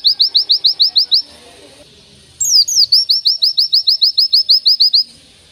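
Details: Oriental white-eye singing a long-line 'tembakan' master song: a short burst of rapid rising chirps, a pause of over a second, then a swooping descending whistle followed by another quick, regular run of high chirps.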